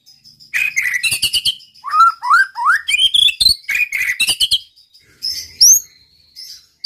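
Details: White-rumped shama song meant to stir other males into singing: a rich medley of rising whistles, chattering notes and sharp clicks, fading to softer high whistles near the end.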